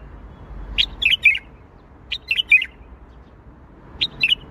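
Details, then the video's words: Bulbul singing Baghdadi style, three clear phrases about one and a half seconds apart, each a bright whistle followed by quick falling warbled notes, close and loud against a quiet hum. "تغريد بلبل طور بغدادي"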